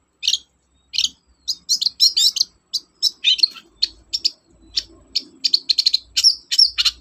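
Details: Vigorous Long-tailed shrike song meant to provoke silent shrikes into singing: a steady series of short, high, sharp chirps and squeaky notes that grows faster and denser toward the end.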